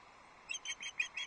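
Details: Female osprey at a Loch Arkaig nest on a livestream camera, 6 July 2024, fish calling to her mate, who does not respond. Five short, high, clipped whistled notes come in quick succession after a brief quiet start.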